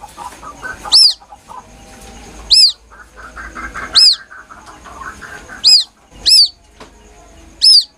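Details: Plaintive call of a White-breasted waterhen chick, used as a hunting lure: a series of high, arched, down-curving peeps, spaced irregularly with some closer together, over a quiet background.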